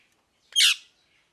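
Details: A single short, harsh parrot squawk, a noisy, rasping burst lasting about a quarter second, with silence before and after.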